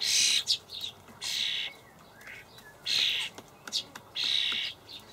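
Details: Fledgling common starlings begging while adults bring dried buffalo worms, Hamburg allotment garden, late May 2012; loud broad wheezy screeches in bursts of under a second, interspersed with brief chirps and clicks.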